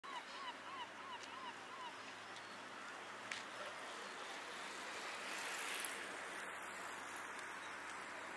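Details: A Common Loon at Oostende, Belgium, in November 2019, gives a quick run of about six arched, quavering notes, then goes quiet under steady wind or water noise and a low engine hum.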